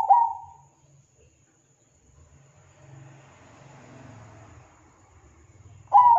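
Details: Zebra dove (perkutut), used as a lure call for other zebra doves, giving short, soft, mellow cooing notes at the start and again after a quiet five-second pause, with faint low background rumble between.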